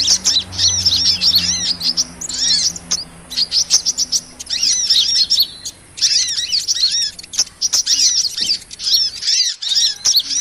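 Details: High-pitched sunbird (kolibri) twittering, played as a trapping lure for small birds, comes in bursts of rapid chirps and curved whistles separated by short silent gaps, the longest around nine seconds in.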